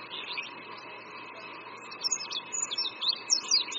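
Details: Perched over a creek at Qingdao University in China, an Oriental white-eye starts quietly, then breaks into quick, high, squeaky twitters during the second half, heard over a faint steady hum and soft background noise.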